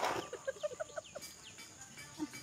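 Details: A talking common myna gives a fast run of short, hollow mid-pitched notes with a few high squeaky slurs, then one lone note over faint background hiss.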